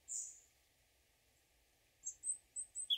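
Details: European robin singing in the morning: a thin, very high note, a pause, then a quick run of five or six sweet, high-pitched notes, the last one slightly lower.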